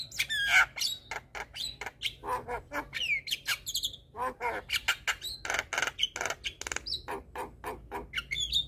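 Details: Black-winged starling song, played to prompt sulking, silent starlings to answer: harsh squawks and broadband rasping notes alternate with short whistled slurs, delivered in rapid bursts with brief pauses.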